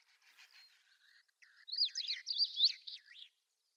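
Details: Long-tailed rosefinch singing in the early morning at Wakka Primeval Flower Garden, Hokkaido, Japan: faint twittering notes, then a loud, rapid phrase of high, sharply slurred whistled notes zigzagging up and down, about one and a half seconds long.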